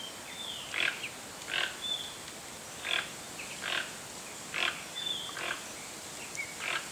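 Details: Brazil's largest toucan, the Toco toucan, calls with about nine harsh, grating croaks at irregular spacing of under a second to a second, with faint high whistles of other birds behind.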